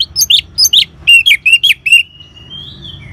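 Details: Orange-headed thrush ngeban song, a lure to make birds sing: about eight bright, bouncing chirps with rising and falling inflections in quick succession, trailing into a thin faint whistle.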